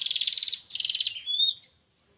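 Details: Female Bar-winged prinia calling for a male: two rapid rattling buzzy bursts, then a thin whistle that slides upward and fades out.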